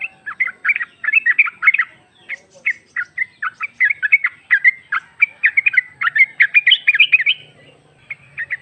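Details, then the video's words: Yellow-vented bulbul female calling for a male, meant to lure a bird into replying: a long, steady stream of quick bubbling, chirpy notes, delivered in loose groups with brief gaps. "Trucuk betina memanggil jantan"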